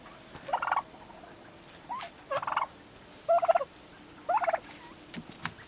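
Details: Young turkeys nearly six months old give four evenly spaced gobble bursts about once a second, quick bubbling rattles with a rising note between.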